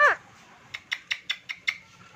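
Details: A talking pet Indian ringneck (rose-ringed parakeet) opens with a sharp, falling squawk, then rattles off six quick clipped syllables, about five per second, like fast chattered speech.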